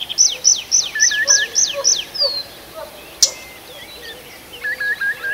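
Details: Birds singing in a forest at night, Arkhangelsk region, June: a loud run of seven high, steeply falling notes, then a short buzz, a sharp click and soft twittering from other birds.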